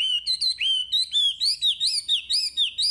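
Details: Chinese hwamei in full song, used to spark singing in untrained caged birds: rapid, rich whistled notes rising and falling, delivered almost continuously about four per second.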